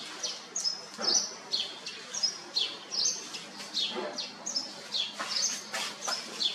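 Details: Caged Red-whiskered bulbul singing quick, sharp, high whistled notes, repeated about twice a second in a lively chattering series.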